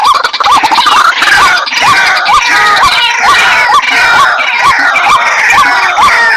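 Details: White-breasted waterhen (dahuk) calling: a steady run of hooked, upward-bending notes about twice a second over a dense, hissing wash of other high-pitched background sound.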